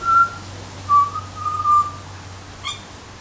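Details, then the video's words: Butcherbird whistle: a pure note, then two longer level tones slightly lower in pitch, clear and flute-like, followed by one brief faint chip. "Butcher bird call"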